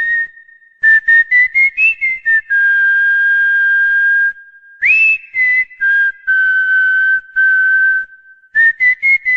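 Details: A cockatiel whistles the Corinthians anthem, with quick rising staccato notes leading into long held tones, a sharp upward slide, then more short and sustained whistled notes in a melodic sequence.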